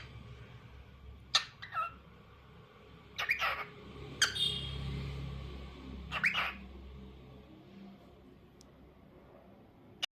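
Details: A lutino cockatiel's daily tunes here are harsh, raspy squawks: four bursts spaced one to two seconds apart, some doubled. Quiet gaps fall between them, with a faint low hum behind and a click at the end.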